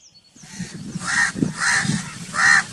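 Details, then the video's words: Crow calling with three hoarse, nasal caws in quick succession, the last one loudest, over a rumbling low background noise. "Crow Calling Sound"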